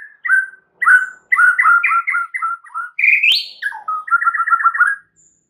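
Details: White-rumped shama giving a rich 'isian' lure song to set other birds singing: varied two-part whistled phrases, a sharp rising note, then a rapid even series of short chirps.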